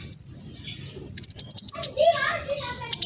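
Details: Juvenile speckled black sunbird recorded on a phone in East Java, Indonesia, singing to provoke other black sunbirds to answer. Very high, thin chirps come in short bursts with a fast chattering run near the end. Faint voices murmur beneath.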